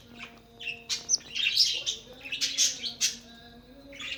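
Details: Budgerigars kept for breeding: continuous high chattering warble of scratchy notes, squeaks and short chirps rising and falling in quick succession, with a faint low steady hum underneath.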